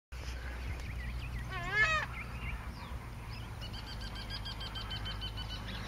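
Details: Southern screamer (Chauna torquata) calling at Porto Jofre, Pantanal, Brazil, 26 September 2013: one loud, brassy, honking call with a quick rise and fall, over faint chirps from other birds and a low rumble.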